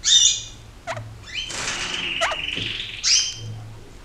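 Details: A pair of caged kakariki, playing in a cage emptied to give them more room, acrobatic and curious; sharp high chirps, short downslurred notes and a drawn-out thin whistled note, with faint low hum behind.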